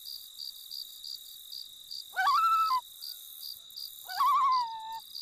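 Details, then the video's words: Summer loon at Emma Lake, Saskatchewan, Canada: two calls, each a quick rising quaver that settles into a held, slightly falling tone, with continuous rhythmic cricket chirping behind. "Sounds of Summer - The Loon"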